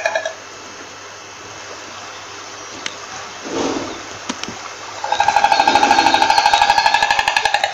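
A stork breaks into a fast, dry, wooden rattle of rapid even clicks that carries on for several seconds after a quiet stretch with faint background noise.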